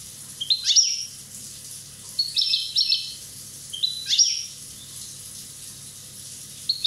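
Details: European goldfinch from Corsica, one year old, giving short bursts of high, liquid twittering and tinkling trills, four phrases each roughly a second apart, over a quiet steady background hum.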